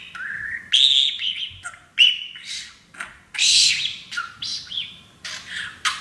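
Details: Caged pet parakeet speaking learned phrases while happy on his new playground; buzzy, warbling chatter of quick phrases, rising and falling, broken by short gaps.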